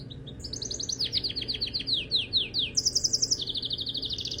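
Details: Canary singing in rapid tours: short high chips, then a run of quick downward-sweeping notes, then a fast, very high rolling trill that drops into a lower chattering series, over a faint low hum.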